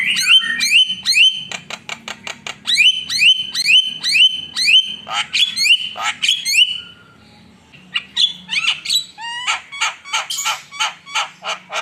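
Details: Energetic Javan myna song: a steady series of sharp, whistled, upslurred notes repeated about twice a second, then a brief pause and a burst of scratchy clicks and high squeaky chirps.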